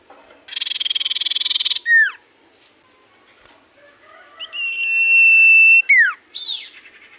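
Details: Common iora in full voice, its song said to make other ioras reply instantly: a fast buzzy trill, a falling whistle, a pause, then a long level high whistle held over a second, closing with descending and rising slurs.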